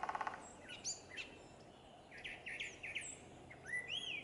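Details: Morning song of a brown thrasher on the Blue Goose Trail by the Boardwalk Trail: a brief buzzy trill, then varied, sharp, high chirps and slurred whistles in short bursts, fairly distant, with a quiet outdoor background.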